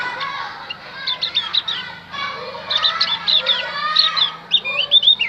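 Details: Javan grey-throated white-eye song played to lure wild birds: bursts of high, rapid twittering notes with quick up-and-down whistled slurs, in three phrases separated by short pauses.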